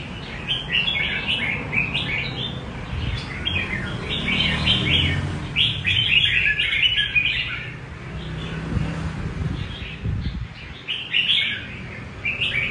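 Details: Red-whiskered bulbul singing in the rê cầu style: rapid, warbled phrases of short bright notes in quick bursts, with brief pauses between groups, over a steady low hum.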